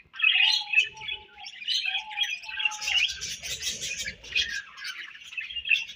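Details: Budgerigar chirping: busy scratchy warbling chatter with short steady whistled tones underneath, then a burst of rapid high twitters.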